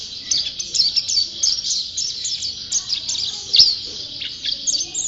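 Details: A white-eye known as a champion singer keeps up a continuous stream of very high, rapid chips and twittering trills, with short sharp accents and one brief click midway.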